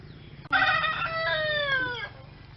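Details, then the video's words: Rooster crowing: one loud harmonic crow of about one and a half seconds, held steady and then sliding lower at the end, over a low steady background hum. "Rooster Crows"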